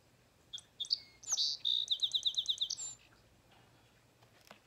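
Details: Song Sparrow song in a backyard setting, a species of backyards, marshes and thickets: a few sharp introductory notes, a buzzy burst, then a quick run of about ten bright, even trilled notes.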